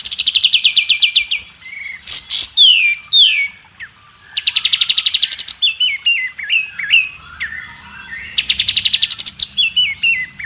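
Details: White-rumped shama song used as a tutor recording for other birds, with the fill phrases judges favour: fast rattling series of sharp descending notes, loud high downslurred whistles, then more rattles and looping whistled phrases, clear and close.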